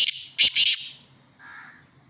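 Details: Black francolin from Khushab giving a harsh, rasping phrase of three loud grating bursts, the last two paired closely, then fading to a softer, lower buzzy note.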